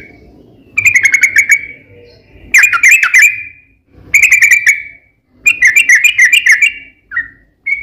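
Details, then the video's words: Yellow-vented bulbul singing gacor ropel panjang, a long rolling style, used as a lure to make other bulbuls answer: four bursts of bubbly, chattering warbled notes separated by short pauses, with a faint low hum behind. "trucukan gacor ROPEL PANJANG pancingan trucukan agar bunyi"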